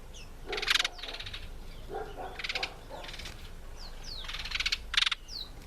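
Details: Treron calvus, African green pigeon, while feeding on apple: strong crackling pulse bursts interspersed with lower throaty notes and thin descending whistles, repeated through the recording.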